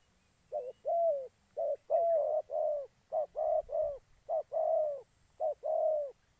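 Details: Caged decoy spotted dove in Gia Lai, Vietnam, used to lure wild doves, cooing steadily: a dense series of warm, low notes, mostly short-long pairs, about a dozen in six seconds with barely any gap.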